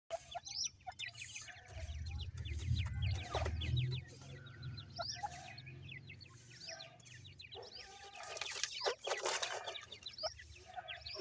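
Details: Francolin (teetar) chicks giving a busy chorus of short, high, downslurred peeps repeated rapidly, over a low steady hum with scattered knocks and clatter.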